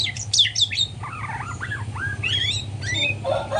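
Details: In morning song practice, a young white-rumped shama opens with high sharp chirps, then loops of mid-pitched slurred whistles, rising and falling, before more squeaky notes, a steady low drone in the background.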